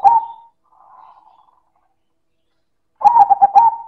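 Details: Loud manggung song of a silver zebra dove (perkutut): the tail of one phrase, a soft low warble, then after a pause a full phrase of quick resonant coos ending in a long, even note.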